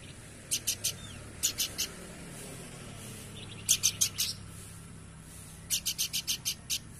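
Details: Horsfield's babbler giving clipped, rattling note groups of three to six, separated by gaps of one to two seconds, against a soft steady hiss.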